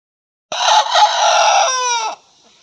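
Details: Young cockerel that has only just begun to crow, facing off with others in a yard: one loud, harsh, rasping crow of about one and a half seconds, steady at first, then breaking into clearer tonal harmonics before it cuts off.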